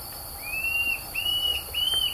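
Tufted Antshrike giving three drawn-out, high whistles in quick succession, each slightly rising then sliding down at the end; faint background hiss.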